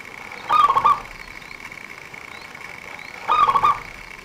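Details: Two quick warbled cooing phrases about three seconds apart from a local zebra dove. This keen singer is used to lure birds for trappers, and a steady high hum runs underneath.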